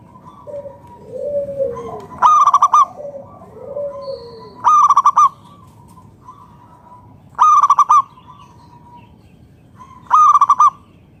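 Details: Lure song of a local zebra dove, meant to prompt other doves to answer. Four bursts of fast, pulsed cooing notes arrive about every two and a half seconds, with soft lower slurred coos early on and a faint thin tone between phrases.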